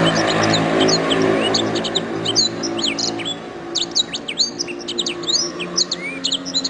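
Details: Canary singing a training master song: a long run of high clipped chirps, rising and falling whistled slurs and trills, fairly continuous, over a low hum and faint background noise.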